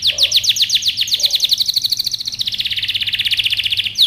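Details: Canary singing a training song of rhythmic downward-swept whistles that accelerate into a fast, even trill lasting several seconds, with a faint low hum.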